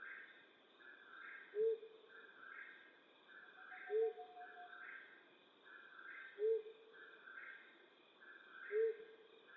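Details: Four low, short hoots from a flammulated owl at night in western North America, regularly spaced about every two and a half seconds, with a higher rhythmic pulsing chorus and faint hum behind.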